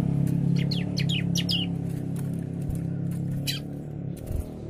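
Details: Young bar-winged prinia singing agitatedly and persistently: quick series of high, sharply falling chirps in bursts during the first half, then scattered notes, over a loud steady low hum.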